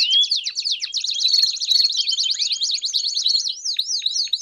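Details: Fast, intense song of a Belgian canary meant to warm up a canary, built from dense high trills of quick zigzag notes that slow near the end into wider, repeated sweeping phrases.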